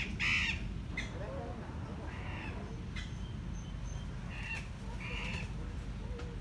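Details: Andean cock-of-the-rock in captivity at San Diego Zoo, giving short harsh squawking bursts: a loud one at the start, then several more spaced one to two seconds apart, over low background rumble and faint human voices.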